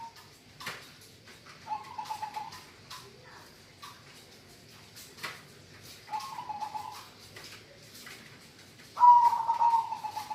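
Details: Energetic song of a local zebra dove, three fast-trilled coo phrases spaced a few seconds apart, the final one loudest, amid frequent ticking clicks and soft background rustle.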